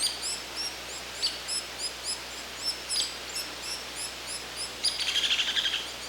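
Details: A Hairy Woodpecker (Dryobates villosus) calls: a few sharp, high peek notes and a quick descending rattle, over a steady chatter of thin, high chirps from other small birds.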